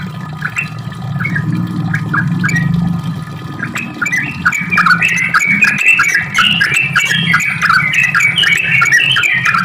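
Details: Sooty-headed bulbul pouring out a continuous ropel song meant to provoke answering song. Warbled notes grow louder and denser toward the end over a constant low droning hum.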